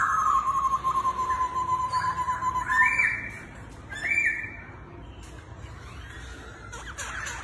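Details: Laughingthrush, dancing circus-style, holds a long steady whistle, then gives two short bright rising phrases before the song fades into background noise.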